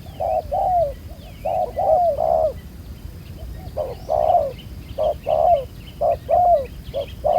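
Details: Low hooting pairs from a spotted dove, a wild bird with black collar beads used for ground trapping. The short note is followed by a falling longer one, and other small birds chirp and whistle in the background.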